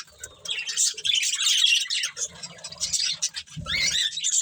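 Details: Budgerigar breeding pair giving busy, buzzy warbled chirps that swell after a short quiet start, broken by brief pauses, with a few low knocks near the end.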